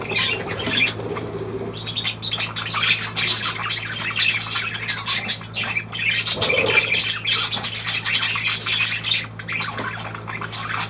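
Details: A busy flock of budgerigars from 23 June 2023 produces loud scratchy warbling and squawks in an unbroken stream, over a faint steady hum.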